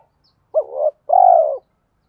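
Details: Spotted dove used as a lure bird, with a deep 'thổ' style voice, gives one clean phrase: a sharp rising coo and then a longer, strong, slightly falling coo, with silence around it.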